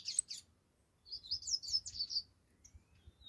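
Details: Saffron finch singing: two quick high chirps, a pause, then a run of sweet rising and falling high notes for over a second, ending with a faint thin whistle.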